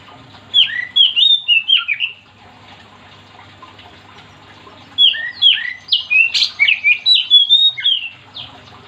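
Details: Oriental magpie-robin (kacer) singing vigorously, a song said to get other magpie-robins singing along: two bursts of rapid, varied whistled and slurred notes, sweeping up and down, separated by a pause of about three seconds, over a faint low hum.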